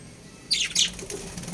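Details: Budgerigars of a breeding pair give a quick burst of bright, high, scratchy chirps, two tight clusters within half a second, followed by soft fluttering and rustle.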